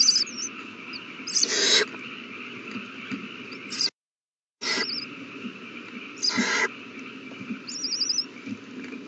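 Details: Owl nestlings calling for food at a feeding on 27 March 2020: repeated harsh hissing bursts, with a brief drop to silence midway, plus short high warbled whistles and a steady hum.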